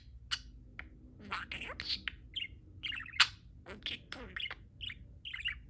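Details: A happy pet budgerigar talks for almost two minutes, chattering in quick, high, scratchy bursts and running mimicked words into warbling chirps.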